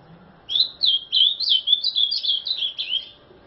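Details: Azulão, praised as a 'terrorista', sings a steady chain of about ten warbling, up-and-down whistled notes over nearly three seconds, clean and loud.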